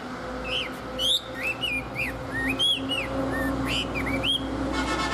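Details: Tame Chinese hwamei sings a sequence of clear whistled slurs, rising and falling loops in quick succession, over a steady low mechanical hum, with a brief rattling noise at the end.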